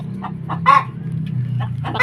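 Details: Hen vocalizing after laying a single still-warm egg: short rhythmic clucks leading to a louder harsh squawk, then more clucks, with low background hum.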